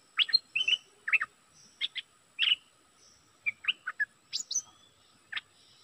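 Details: Energetic bulbul decoy song: lively, rapid phrases of liquid whistled and chirped notes in short bursts, with a few higher thin notes and brief pauses between groups.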